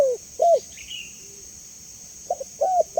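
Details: Spotted dove cooing in two bursts: a pair of falling coos at the start, then a pause, then short clipped notes leading into another downward-sliding coo. A thin, constant high hiss sits in the background.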